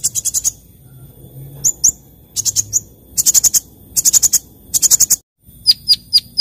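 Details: Sunbird in the morning giving short clusters of rapid, very high sharp chirps, bursts of three to five notes spaced by brief gaps, ending with evenly spaced thin tweets.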